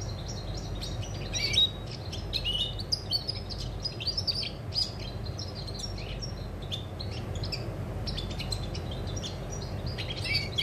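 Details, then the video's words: European goldfinch, 20 August 2020, delivering rapid twittering song with sharp chirps and buzzy notes in dense clusters, slightly softer later, against a low continuous rumble. "Chardonneret , El jilguero , bird , cardellino pezzato , GOLDFINCH SONG"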